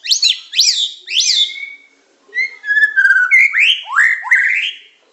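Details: Murai batu of the Medan type: three loud sweeping whistles falling then gliding, a brief pause, then a rippling run of mid-pitched notes and strong rising slurred whistles.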